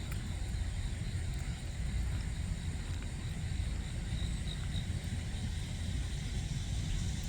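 Steady low rumbling wind or vehicle-like noise fills the recording, with no animal sounds heard.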